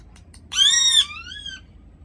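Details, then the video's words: Angry parrot giving one loud, harsh, ringing scream of about half a second, followed by a fainter, drawn-out call that slowly rises and fades, with a few soft clicks beforehand. "The Sounds Those Vehement Parrots Make"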